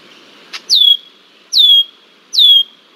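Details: Red-winged blackbird harassing a young bald eagle at Decorah, Iowa, on 20 July 2023: three clear whistled calls, each sliding down steeply then holding a thin level tone, spaced about a second apart, after a short click.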